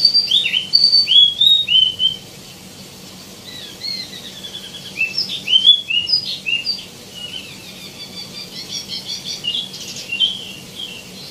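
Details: Tieumi, also called wambi mini, singing energetically with many varied phrases: bright whistled notes that dip and curve, delivered in quick bursts at the start, then softer chattering runs after a pause, over faint background hum.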